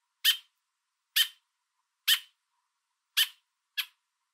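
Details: Fence-perched American robin in southern Ontario carrying food for its young, making loud repetitive calls to drive an observer back: five harsh clipped notes at roughly one-second intervals.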